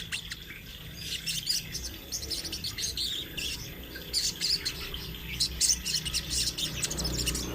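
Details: Sunbird in full rolling song, used to train other birds: continuous fast, high, scratchy twittering in rapid bursts, with a steady low background hum.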